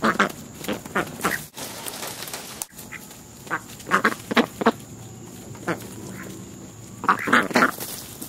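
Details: American black ducks from a friendly family lingering near a house, fed by hand; sparse, raspy quacks scattered through, ending in a quick cluster of louder calls.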